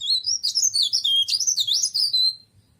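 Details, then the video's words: Tralis, or cikrak daun leaf warbler, kept as a pretty ornamental bird: an unbroken stream of lively, high whistled notes swooping up and down, ending on a drawn-out level whistle. "Burung cikrak daun atau burung tralis"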